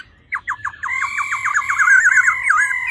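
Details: Female laughingthrush producing the 'ro ro' call used to rouse a male fast: a few quick clipped notes accelerating into a loud continuous buzzy trill that wavers slightly in pitch.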